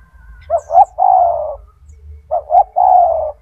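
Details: Caged gacor turtle dove with a big, loud voice, singing as a master recording for training other doves: two phrases, each of two short hooting coos followed by a long, slightly falling drawn-out coo.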